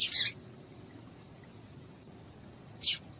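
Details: Female papa-capim seedeater calling to stimulate males; one bright, high double-peaked chirp at the start and a second near three seconds, separated by low background hiss.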